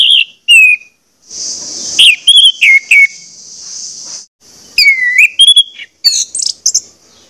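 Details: Orange-headed thrush song used as a lure recording to get birds singing: varied clear whistled phrases, some sliding downward, broken by a harsh buzzy trill lasting about three seconds, plus quick high chirps and short pauses.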